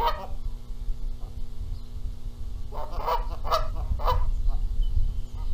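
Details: Canada geese quarrelling over incubating eggs in Charlo, Montana, April 14, 2022. A short run of four or five strong nasal honks falls midway, with faint calls at the start and end.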